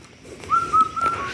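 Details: An Asian koel gives one clear, fluting whistle that lifts slightly and holds for under a second, at a quiet, natural hill picnic spot (Madhutila), against a quiet background.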